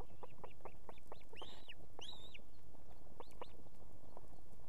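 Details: Female osprey at a nest with two chicks in Estonia calling for the male to bring food, in the evening: a fast series of arched, whistled notes, with two louder, fuller cries in the middle.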